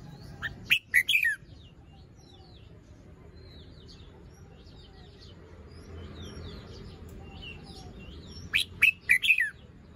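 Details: Morning song style from a young caged red-whiskered bulbul, feathers fluffed and crest not full: two sharp, lively phrases of rapid notes at either end, with faint chirps of other birds in between.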